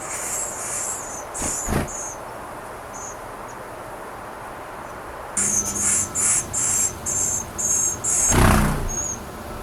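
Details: Wild Western Flycatcher nestlings on day 11, feathers filling in, Pacific Northwest: after a quiet start, a rapid series of thin, very high hissing begging notes, several per second, with a couple of dull thumps.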